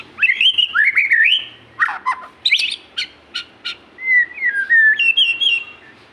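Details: Magpie-robin singing energetically: a varied run of clear whistled phrases, rising and falling slurs, interspersed with short sharp chips and buzzy notes, delivered in quick bursts with brief pauses.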